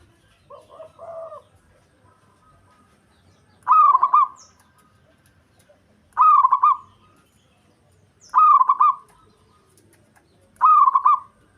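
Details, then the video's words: Song of a local zebra dove used to goad rivals and lure the opposite sex; a faint lower double coo opens, then four loud rolling phrases of rapid throbbing notes every two to three seconds. "Perkutut Lokal Ampuh Buat Emosi Lawan"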